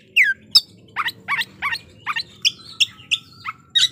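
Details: Oriental magpie-robin singing a lure song to provoke rival kacer. A steady sequence of punchy chirps and downslurred whistles comes roughly three times per second, with a faint sustained tone behind them.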